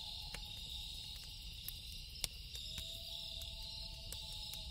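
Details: Loon calling at night beside a lake, a long, steady, haunting tone that holds level and then splits into a lower and higher note, over constant high insect chirring and sharp pops from a crackling campfire.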